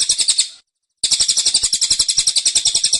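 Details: Kept cililin delivering its dense, insistent tembakan: a short flurry of high, piercing chips, a half-second pause, then a quick, steady run of similar notes.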